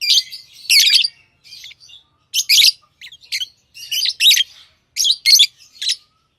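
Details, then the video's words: Lovebirds chirping: bursts of shrill, high, scratchy chirps in short clusters separated by brief pauses, irregular rhythm, no other sounds. "Love birds Sounds | lovebirds chirping sounds"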